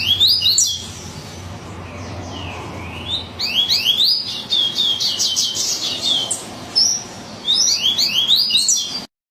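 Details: Frantic song of a yellow-bellied seedeater (coleiro baiano): a short opening burst, a quiet gap with faint descending notes, then long runs of rapid high twittering chips before an abrupt end.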